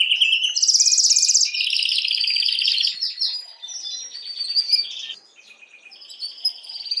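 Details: Canary singing to excite hens for breeding, a loud high rolling trill opening into varied rapid warbled phrases, buzzy rattles and brief whistles, fading to softer scattered notes near the end, no other sounds.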